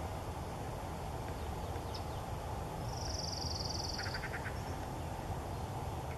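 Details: Yellow-breasted Chat, a first record for Magnuson Park, giving its complicated song: a high, dry rattle lasting about a second, then a quick run of harsh, clucking notes over a steady low rumble.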